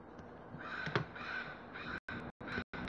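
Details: Crow recorded on 5 March 2022 at 08:50 in the morning, giving about three harsh, drawn-out caws within three seconds, with short dropouts cutting the recording near the end.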